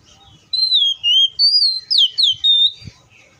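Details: Oriental magpie-robin in the wild giving a bright phrase of five loud whistled notes, each wavering or sweeping downward, delivered within two seconds after brief quiet.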